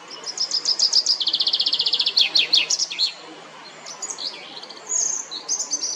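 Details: In Geneva's La Perle du Lac, Switzerland, a common chaffinch delivers one full song, used to defend territory and attract mates: rapid repeated notes dropping in pitch into a quick trill and an accented flourish, then fainter bird chirps.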